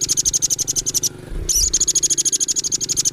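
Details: Velvet-fronted nuthatch (rambatan) in masteran training audio for contest birds: rapid, evenly spaced high chit notes forming a rattling trill, broken by a short gap and low thud before resuming.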